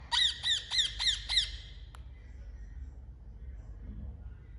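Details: Parrot giving five quick, harsh, buzzy squawks in a rapid, even series over about a second and a half, then falling silent, with a low background hum.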